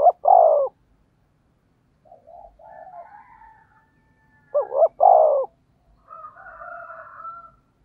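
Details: Spotted dove used as a lure for wild doves, giving two deep cooing phrases about four and a half seconds apart. Each has two quick looped notes and a drawn-out coo, with softer warbling murmurs between.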